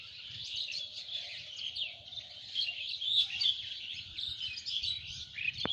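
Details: Countryside birdsong from village fields in Lalmonirhat, Bangladesh: dense overlapping high chirps and twitters from a chorus of birds, steady throughout, ending with a sharp click.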